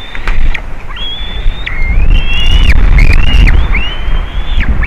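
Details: White-tailed eagle nest in Latvia, 27 June 2019, with a juvenile visiting the eaglets, nest camera: drawn-out high whistles that wobble slightly and end in falling slurs, over strong buffeting wind and sharp clicks.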